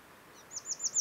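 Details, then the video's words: Willow warbler (Phylloscopus trochilus) singing in early summer, late June to early July, in the Geilo area near the Hallingskarvet range, Buskerud, Norway: a brief run of four or five high, sweet, slurred whistles over soft hiss. "Song of Willow Warbler"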